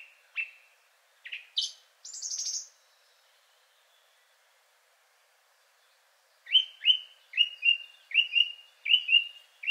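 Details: Song Thrush, third male, singing a richer song partly resembling a nightingale: a few varied high chirps and a buzzy note, a pause of several seconds, then a fast series of about ten repeated sharp whistled notes.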